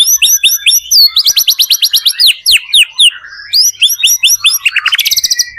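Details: White-rumped shama singing hard as a lure to make other shamas answer: quick high chirps in repeated sets, a fast regular run of notes, then a stuttered ending.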